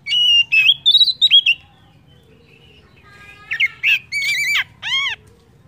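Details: Oriental magpie-robin (kacer) lure song, used to stimulate other birds to sing: a burst of loud, slurred whistled notes and a pause, then buzzy rising-and-falling phrases ending in rapid looping whistles.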